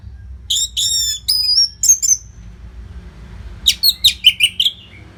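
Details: Orange-headed thrush giving a nonstop training song for competition birds: bright, sharply slurred high whistles in quick bursts, a pause, then a rapid run of seven clipped notes.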